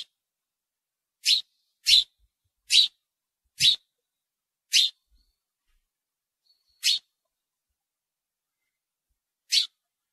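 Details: House sparrow giving short, clean chirps, seven in about ten seconds at uneven intervals, each bright and clipped, with quiet gaps and no other sounds.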